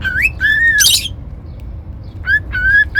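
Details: Cockatiel whistling a rising note, then a long arched tone and a harsh squawk, followed after a quiet gap by more level and upslurred whistles.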